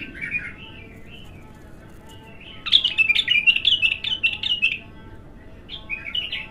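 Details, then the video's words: A raw bulbul singing for the first time gives soft, warbling notes, then a loud, fast burst of chattering, bubbling whistles for about two seconds, and a last short phrase. "تغريد الابتر خام اول فتحـه له"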